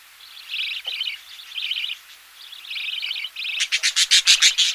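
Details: Close recording of budgerigar chicks being fed in their nest: wavering, buzzy chatter in short phrases, ending in a fast loud series of sharp, pulsed chirps about three per second.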